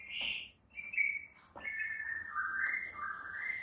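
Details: White-rumped shama morning training song for prompting other shamas to sing: long drawn whistles that slide downward and level out, over a steady hiss of background noise.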